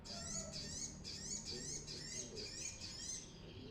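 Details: Brown-throated sunbird song, a lively bird used as a lure for training birds: rapid high thin warbled phrases, wavering notes repeated about twice a second, with faint lower chirps beneath.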